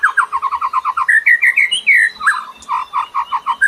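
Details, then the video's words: Indonesian lure song for attracting other birds: fast repeated short warbled notes, nearly three per second, broken by a few longer slurred whistles. "KICAU BURUNG PEMIKAT"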